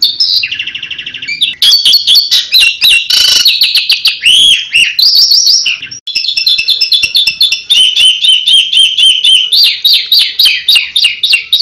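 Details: Asian pied starling giving a loud, fast, varied song in the 'tembakan' style, said to attract any bird: rapid buzzy and whistled bursts, chattering rattles and looping notes run together almost without pause.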